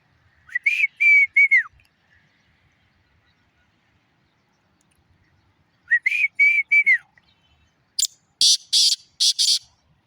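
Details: Black francolin (kala teetar) calling: two harsh, grating multi-note phrases about five seconds apart, each roughly a second long, followed by a burst of rasping, broadband notes near the end; otherwise quiet.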